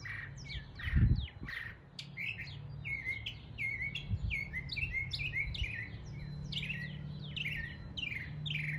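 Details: Northern mockingbird in East Tennessee mocking local birds with a dense, continuous stream of sharp descending chirps and whistles repeated in quick sets, plus a low thump and steady hum.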